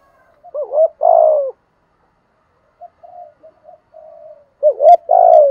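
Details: Decoy spotted dove cooing in the morning to call the flock: low, mellow coos, a short hooked note then a long hoarse drawn-out coo, a quieter soft middle stretch, then the phrase repeated.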